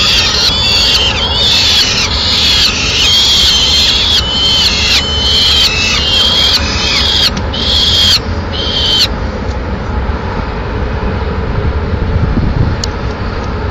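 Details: Peregrine falcon family at a nest in Madrid: the male brings a swift for breakfast and feeds the chicks himself without handing it over whole. Harsh, screechy calls repeat about once a second for nine seconds, then fade into steady background hum.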